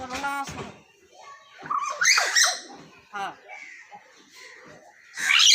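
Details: Talking common hill myna producing voice-like harmonic syllables, a high squeaky burst and scattered chattering notes, ending in a loud shrill call.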